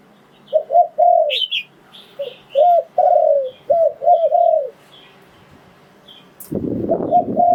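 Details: Spotted dove calling to lure wild doves into a trap: a run of soft hooted coos, short and drawn-out notes mixed, with faint higher chirps above, ending in a burst of rough rustling noise.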